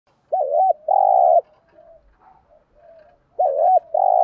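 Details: Decoy spotted dove calling in the morning to summon the flock. Two coo phrases, each a short looped note followed by a long steady hollow coo. A quiet gap with faint murmurs separates them.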